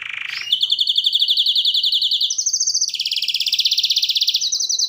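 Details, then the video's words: Canary song of fast, even trills in high, bright phrases, each held for a second or more before jumping abruptly to a new pitch level, with a brief rising sweep at the start and no other sounds. "صوت تغريد كناري"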